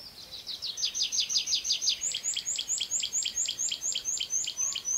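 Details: Tree pipit singing while sitting on the ground, shorter verses than in flight: a steady, rapid train of high, sharp, down-slurred notes repeated about three per second, with a fainter high tick above each.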